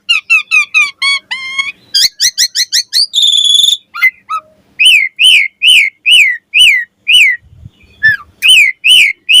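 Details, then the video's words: Asian pied starling in morning song meant to lure other starlings into singing: quick series of clear rising whistles, a brief rattling buzz, then repeated arched whistled notes about every half second, varied by a few falling slurs. "Suara Jalak Suren Gacor Ampuh & Efektif Pagi Hari Buat Pancingan Burung Jalak Agar Gacor Full Isian"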